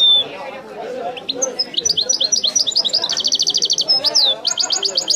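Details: European goldfinch singing Wedani style: varied high twitters build into a very rapid, evenly spaced trill of bright notes, then further sharp rising chirps, with low chatter underneath.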